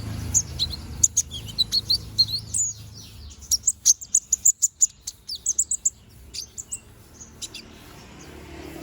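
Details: Young konin bird regrowing its feathers, singing busily: a series of very high, clipped chirps, then a fast regular string of bright piercing notes, then looser twittering that trails off, over a quiet background.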